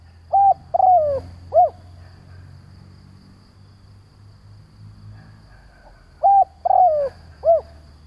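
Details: Spotted dove decoy calling to attract wild doves, giving two complete phrases about six seconds apart. Each has a short even coo, a longer falling croon and a bowed closing note, all mellow and mid-pitched over faint rumble.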